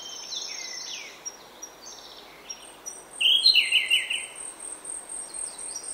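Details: Grey-backed thrush song at dawn in oak woodland: a prominent run of rich, slurred notes lasting about a second, set against high thin trills and chirps from a mixed bird chorus.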